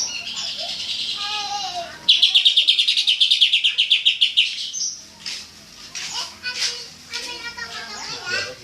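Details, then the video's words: Cucak ijo, the greater green leafbird, in full tembakan song: varied high chatter, then a sudden rapid-fire string of about eighteen piercing notes lasting two seconds, fading into scattered warbles and chirps. "suara burung cucak ijo full TEMBAKAN"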